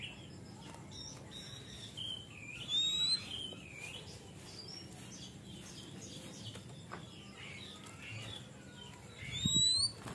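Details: Oriental magpie-robin kept as a songbird, singing in full voice as a lure for raw, untrained birds. Thin rising whistles and short slurred notes come in scattered bursts, with louder phrases near the start and end over low hum.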